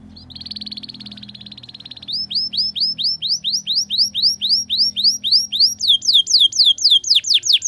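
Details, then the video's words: Canary singing in the ngriwik style as a tutor for young birds learning song: a two-second buzzy trill, then a long run of rising whistled notes about four per second, shifting to steeper falling sweeps at the end. "Masteran Kenari Paud Belajar Bunyi Ngriwik, Pancingan Kenari Muda Agar Bunyi Gacor"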